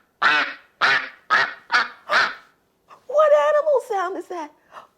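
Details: Duck sound from a children's farm-animal guessing game: five harsh, nasal quacks in quick series, followed by a woman speaking.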